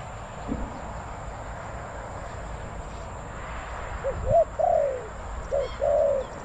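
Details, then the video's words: Spotted dove decoy at Bang Li calling to wild doves: after a quiet stretch of background hiss, two phrases of a brief note and a longer falling coo come near the end. "ต่อนกเขาใหญ่ EP289หมายสองกุกเรียกลงกุก"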